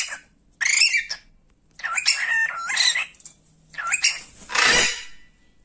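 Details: A playing pet cockatiel talks in short, scratchy, warbled phrases, three quick bursts ending in a loud rushing hiss-like sound.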